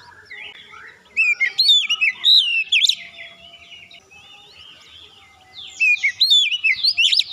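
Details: Oriental magpie-robin song played to encourage other birds to sing: a burst of loud varied whistles and slurs, a quieter pause, then another lively whistled phrase.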